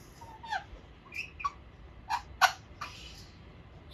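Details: Young Alexandrine parakeet, two and a half months old, learning to talk: a handful of short, squeaky chirps and clicks scattered unevenly across four seconds, the loudest near the middle, in a quiet indoor setting.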